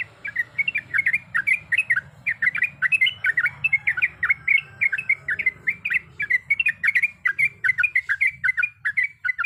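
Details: Sooty-headed bulbul in full, long rolling song packed with varied sounds, a female calling to the male. Continuous fast chattering chirps and slurred whistles run almost without a break over a low background hum.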